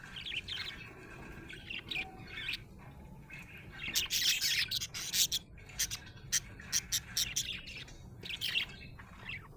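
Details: Happy budgerigar chirping: scratchy, raspy chatter in uneven bursts, with a dense burst near four seconds, then a run of short sharp clicks and ticks, and softer warbled bits at the end over a low steady hum.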